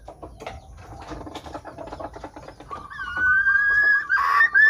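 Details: Red junglefowl (Gallus gallus), hen call: female calling to attract males.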